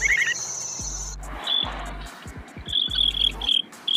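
A sandpiper gives thin, high peeping notes, a few at first and then a quick run of them, over a steady insect-like hiss and low rumbling hum.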